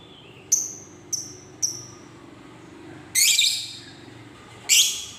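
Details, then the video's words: Lovebird, fighter type, giving three short sharp high chips about half a second apart, then two loud rasping screeches after a pause. "Suara Burung Lovebird Ngekek Panjang"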